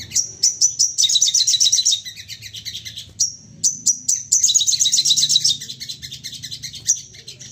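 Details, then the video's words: Crested jay in an excited state, calling repeatedly to draw responses from other birds: bright whistled notes lead into fast rattling chatter, a pause, then more whistles and another rattling burst. "Sogon emosi nembak bertubi - tubi cocok buat pancingan bunyi dan naikan emosi"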